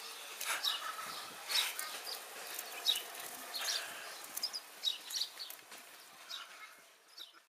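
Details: Hungry house sparrows gathering at a zoo table to be fed, short sharp chirps from several birds overlapping in quick irregular bursts, with clicks and wing flutters between them and steady background noise.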